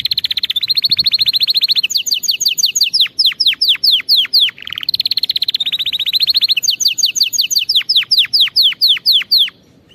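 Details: Canary song for teaching young canaries: long stretches of rapid rolling trills broken by sharp downward-swept notes, a short low buzzy segment in the middle, bright and continuous.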